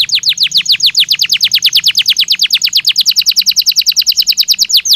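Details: Belgian canary singing naturally: a long, rapid run of sweeping descending whistled notes, several per second, steady and loud throughout.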